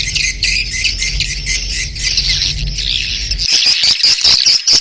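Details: Mating call of swiftlets: a thick wash of high twittering over a low hum, then sharper separate chirps and clicks once the hum stops.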